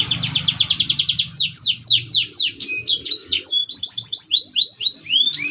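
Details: Red siskin song used as a training recording for other birds: a fast, continuous run of high chirped notes, about four per second, shifting into rising and falling whistled slurs and twittering trills.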